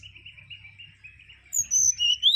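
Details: Mangrove whistler (Pachycephala grisola) with a soft wavering warble over a low hum, then sudden loud high whistles: a level note dropping to a lower one that sweeps sharply upward.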